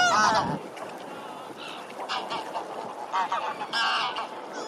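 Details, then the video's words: Several greylag geese give loud, nasal honking, a strong burst then scattered overlapping honks, as they come ashore from the Serpentine to join a flock grazing on the bank; Greylag goose. "Greylag Geese"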